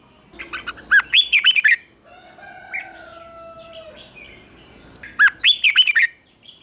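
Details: A red-whiskered bulbul sings its morning training song in two fast, ringing phrases of looping whistled notes. Between them a rooster crows in the background.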